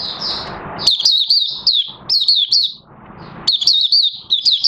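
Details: Oriental white-eye, its fresh white feathers almost fully coloured, opening its song on 30 August 2022: thin high warbling slurs in three clustered runs separated by brief gaps, over soft low rumble.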